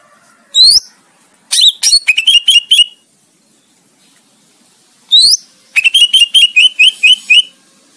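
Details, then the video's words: Master song of a greater green leafbird for training contest birds: high upward-sweeping whistles, then fast stuttering trills of short metallic notes, a pause, and the same pattern repeated with a longer rapid series. "Masteran Cicak Ijo Buat Lomba"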